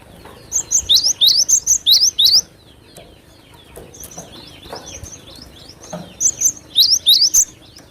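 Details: Cinereous tit (glatik batu), a lure recording of a vigorous singer: three loud bursts of sharp, high, upslurred notes repeated quickly, with quieter chirps from other birds between them.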